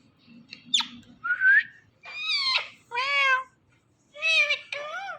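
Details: Indian ring-necked pet parrot that talks, said to say mummy papa: a quick squeak, then a series of harmonic, voice-like syllables, each about half a second long, with short gaps.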